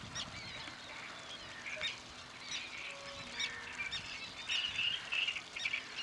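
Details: Great reed warbler recorded on a Panasonic SDR-H90: a rapid run of harsh, croaking and chattering notes, repeated in uneven bursts with brief squeaky elements, against steady background noise.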